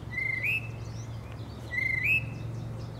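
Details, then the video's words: Tufted titmouse in spring, a combative wild bird that follows a peanut-feeding person: two clear two-part whistles, each a steady tone rising into a brief higher slur, over a constant low hum. "Tufted Titmouse spring call"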